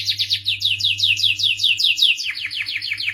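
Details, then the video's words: Canary of the starblue type repeating sweet descending whistled notes about six times a second, then switching to a quicker, softer series of falling chirps. "suara merdu kenari starblue"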